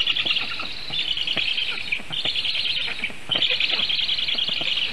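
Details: Young Black storks on a nest in Sigulda municipality, Latvia, 4:51 PM, 1 August 2021, defending themselves against a goshawk that landed during feeding; loud, buzzy, rattling calls in three long bouts with short pauses.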